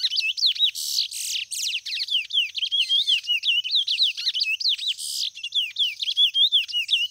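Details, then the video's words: A white-mutation chestnut-bellied seed finch sings a continuous run of clear, slurred whistles that rise and fall rapidly, broken by a few harsh, buzzy bursts. "Curió Branco mutação show de cantoria"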